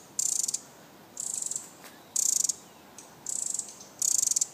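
A Pacific wren gives its alarm call: five short, very high, dry ticking bursts, each a rapid stutter of notes, about one per second.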